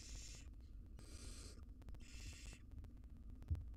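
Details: Barn owl mother feeding her nestlings in a wild nest box; three harsh hissing screeches of about half a second each, evenly spaced, over a droning hum.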